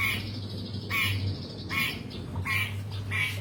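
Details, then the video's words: Long-tailed shrike singing actively: harsh, rasping squawks repeated roughly every three-quarters of a second, each a broad burst with a brighter upper edge, over a steady low electrical hum. "BURUNG CENDET GACOR"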